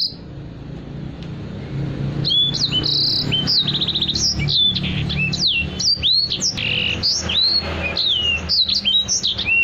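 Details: Caged Black-throated canary singing lively, kept as a song tutor for other cage birds: fast, varied high whistled notes, sharp slurred upsweeps and downslurs with short trills, delivered continuously over a steady low hum.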